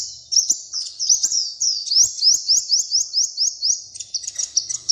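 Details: High-pitched song from a little, colourful bird: a steady run of sharp upward-sweeping whistles at roughly four a second, ending in a jumble of fast twittering notes.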